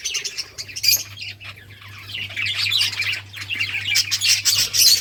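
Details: Budgerigars chirping while playing: quiet scattered notes at first, building to loud, dense, high-pitched chatter and squawky bursts near the end, with a low hum behind.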